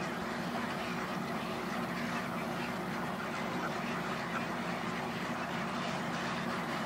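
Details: Egrets arriving at a roost by the thousands: a dense, unbroken chorus of harsh, overlapping croaks and squawks forms a steady wall of sound with no single caller standing out.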